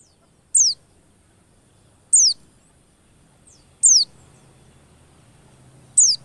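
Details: White-eyes used as a lure to make white-eyes sing quickly: four short, sharp, very high notes sliding downward, spaced about one and a half to two seconds apart, over a faint low hum.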